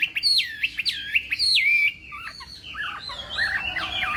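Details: Chinese hwamei practising its morning contest song: clear looping whistles swinging high and low, followed by a softer jumble of warbled notes and chatter.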